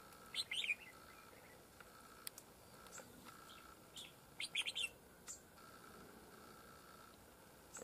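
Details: Red-whiskered bulbul fighting over territory during decoy trapping: faint, brief chirpy warbled phrases near the start and again mid-clip, with scattered thin notes between, over a steady background hum.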